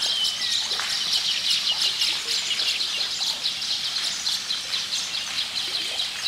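A colony of Baya weavers keeps up a steady, high chatter of dry, wheezy chirps, many birds overlapping without pause.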